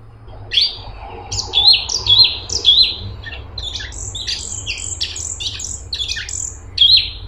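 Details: Straw-headed bulbul (cungkok) giving rapid bubbling song: a series of bright, sliding whistled notes followed by quicker high chattering phrases, ending on another rich warble; faint low hum underneath.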